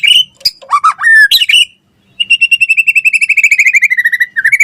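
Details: White-rumped shama in full, vigorous song: a few swooping, twisting whistles, a short silence, then a long steady series of rapid repeated notes slowly falling in pitch before a final rising phrase.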